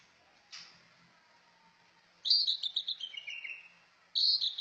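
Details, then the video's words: Cucak ijo singing: a faint early note, then a loud run of high chirping notes that slide downward, and a further bright phrase at the end, with quiet gaps between. "Merdunya burung trucak ijo"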